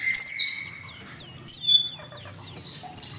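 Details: Master recording for training songbirds, featuring an Asian pied starling: a bright high whistle and a long level tone open the phrase, then sliding whistled notes, and short, sharp high phrases near the end.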